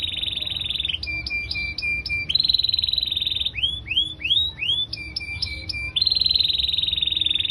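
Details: Canary singing energetically in a long 'gacor' performance: sustained buzzy high trills, a run of evenly spaced sharp chips, then quick rising swept notes before returning to the rolling trill, with a faint low hum behind.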